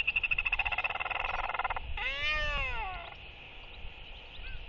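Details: Royal albatross courtship display on 23 October 2023 at evening, four birds socializing: a fast run of dry rattling pulses, like bill clapping, then a drawn-out rising-and-falling braying call rich in overtones, with steady wind rumble behind.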